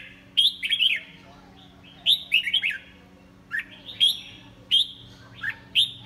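Red-whiskered bulbul giving bright, bubbly whistled phrases in quick bursts of three or four notes, repeated every second or two, with a faint low hum behind.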